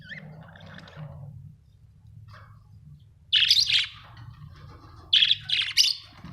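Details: Pet budgerigars indoors: after a quiet start, two bursts of harsh buzzy chirping chatter, the second split into three quick notes.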